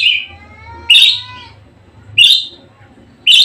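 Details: Budgerigar singing vigorously: loud, harsh chirped notes about once a second, one trailing into a thin, falling whistled tone.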